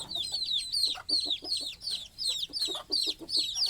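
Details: Chicks peeping at night as they try to settle down to sleep with their mother hen on a nest perch. High, thin, downward-slurred cheeps come in quick overlapping bursts, roughly three per second, with soft low clucks beneath.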